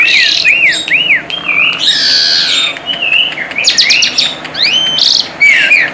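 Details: Singing tame Asian pied starling, recorded as lure song: bouncy arched whistles, a harsh scratchy stretch, then looping whistled slurs over a steady background hiss.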